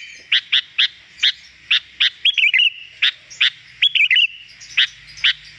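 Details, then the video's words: Sooty-headed bulbul giving loud, bright chirped notes about twice a second, broken by short warbled, bubbling phrases; nothing else stands out. "Masteran agar burung kutilang cepat gacor"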